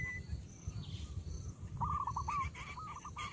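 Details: Coucal nestlings with a feeding parent at the nest; after a quiet rustling start, a short run of rapid wavering notes, then a second burst, against low background rumble.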